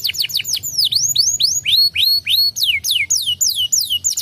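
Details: Canary lure song meant to provoke other canaries into singing: loud, high whistled notes, each sharply rising or falling, repeated in quick series of slurred sweeps and chevron-shaped notes, with a faint low hum underneath.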